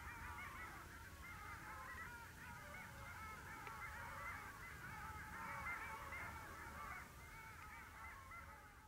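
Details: A flock of long-tailed ducks at the Vistula river mouth on 8 February 2013 keeps up a dense, overlapping chorus of nasal, yodeling calls over a low rumble of wind or water.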